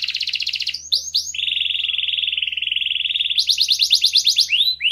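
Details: Canary singing to encourage other birds: a fast trill, a few rising whistles, a long smooth rolling trill, then a brighter pulsed trill and a final upswept note.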